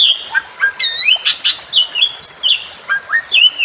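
Bali myna giving a quick run of short whistled chirps, some rising and some falling, with a couple of harsh buzzy notes, about three to four per second.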